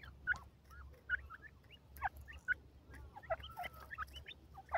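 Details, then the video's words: Female Indian francolin calls: clear, short, looping chirps and upward-flicked notes, several per second in loose bursts, with faint low background hum. "ghoray teetar kio awaaz,indian teetar madi ke awaz"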